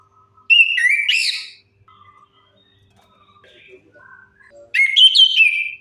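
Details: Lure song of an orange-headed thrush, for coaxing silent birds to sing; a loud warbled phrase opens, quiet twittering notes follow, then another bright whistled phrase at the end.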